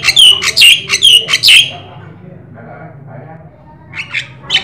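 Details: Javan myna (jalak sungu) singing 'gacor' for prompting other birds: five loud, evenly spaced grating squawks with twisting whistles in about 1.5 seconds, then faint murmuring and a few quieter notes, over a low hum.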